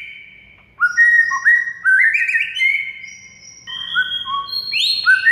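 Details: White-rumped shama whistling a song from a training recording that makes mute shamas sing: clear sustained notes rising in steps, a long held whistle, then higher whistles ending with a sharp upward sweep.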